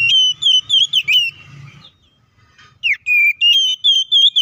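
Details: White-rumped shama fighting song used to provoke rival shamas; two lively bursts of loud, clear whistles, wavering and slurred, separated by a short quiet gap with faint low hum.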